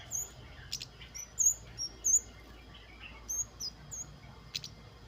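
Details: Flowerpecker (kemade) in full wild song, 'wucit wucit', played to draw birds into singing: rapid, thin, very high ticking notes in an irregular stream of about ninety a minute, with faint clicks and background hiss.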